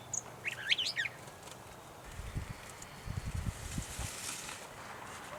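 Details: In North Tetagouche, New Brunswick, a gray catbird gives one quick jumble of squeaky, warbled notes, rising and falling, then falls silent as low wind rumble and handling noise take over.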